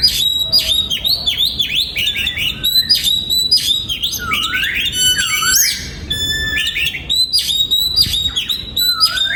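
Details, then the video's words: Oriental magpie-robin kept in a breeding aviary, in full song: fast, varied whistles and chirps, repeated swooping phrases and rattling trills, sustained without pause. "Giọng Chim Choè Than Hót"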